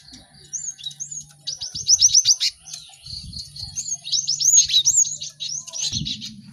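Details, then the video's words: Cinereous tit singing busily, used to help caged birds learn fast: rapid series of sharp downslurred notes, whistled upslurs and thin chatter, with occasional low thumps. "Pacingan gelatik batu ramai untuk maksimalkan burung belajar cepat bunyi"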